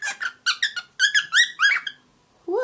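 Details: Seven-month-old grey cockatiel, aviary raised for six months, indoors, attempting to talk for the first time beyond its usual morning whistles. A quick run of about nine short, chirpy, warbling syllables in under two seconds, followed by a person's low voice.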